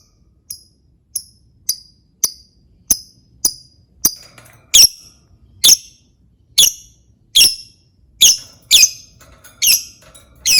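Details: Lovebird sound played as a lure to get other lovebirds singing: short high chips repeated about once a second, growing louder and harsher into shrill squeaky squawks with ringing tails.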